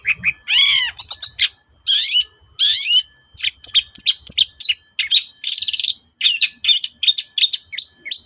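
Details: A long-tailed shrike in full morning song, used to draw replies from other birds, opens with a loud arched squeal, then pours out quick, scratchy high phrases and short chattering trills with hardly a pause.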